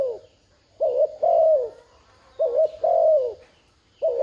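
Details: Spotted dove giving coos meant to trigger a decoy bird's calling, heard as two full phrases of a quick doubled note followed by a drawn-out, downward-sliding coo, with another phrase just starting.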